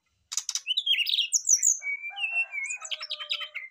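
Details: Brown-chested jungle flycatchers singing in reply to each other: a chattering burst, then sweet high whistles and slurred notes over a lower steady tone.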